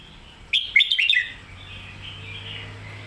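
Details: Red-whiskered bulbul performing the popular song style known as Phat Kuai Tiao, or Mae Bot. A short, lively burst of clear, jumping whistles is followed by a steady low hum and faint background chatter.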